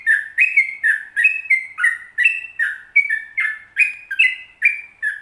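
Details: Long rolling song of a Sooty-headed bulbul, played to encourage captive bulbuls to sing: a continuous string of short warbled whistles rising and falling, about two to three notes each second, no other sounds.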